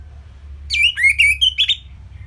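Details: Orange-headed thrush singing for songbird training: a sweeping downslurred note then a string of short looping whistles, fast and varied, lasting just over a second.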